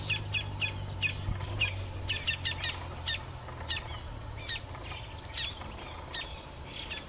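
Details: Campo flicker (Colaptes campestris), a South American grassland woodpecker, calling in the wild: a series of sharp, squeaky notes repeated irregularly about one and a half per second, with low rumbling background noise.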